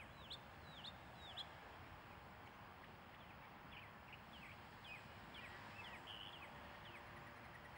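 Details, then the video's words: Mockingbird song: a hooked, whistled note at mid-high pitch sung three times in quick succession, then a run of varied short chirps and slurred notes, faint against steady low background rumble. "Mockingbird Songs"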